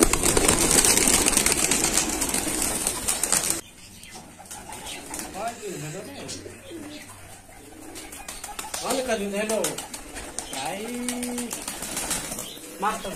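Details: Pigeons at a large farm in Bangladesh holding 120 pairs; after a loud hiss of noise, soft low coos swell and fall in repeated wavering phrases, with rustling and faint voices nearby.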